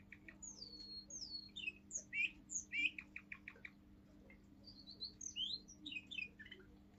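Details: Russian singing canary, a seven-month-old pure-line male, in forest-tune style: sweeping high whistles alternating with short clicking chips, a pause, then further rising and falling whistled phrases. A steady low hum runs underneath throughout.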